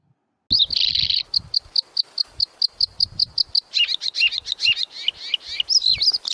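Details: A bird played to pupils in a school science lesson; a brief buzzy note, then a quick run of sharp, evenly spaced high chirps, breaking into faster varied twittering notes.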